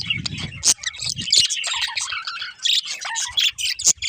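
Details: A breeding pair of budgerigars chirping: dense, continuous chattering warble of high squeaks, clicks and sharp chirps, with brief louder tweets throughout and a faint low rumble during the first second and a half.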